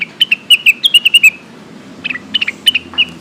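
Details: Lesser green leafbird calling to companions, a lure recording: bright whistled notes in quick runs, each note sliding downward, a rapid burst of about ten, a pause, then a shorter second burst.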